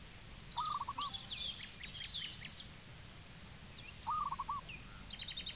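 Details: Zebra dove from Cambodia repeating a short rolling phrase of clipped coos twice, about three seconds apart, amid sharp chips and whistles of other birds.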